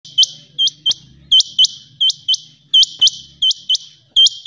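A rain quail gives sharp, metallic, high-pitched notes, often in quick pairs, repeated about every half-second. A faint low hum sits underneath.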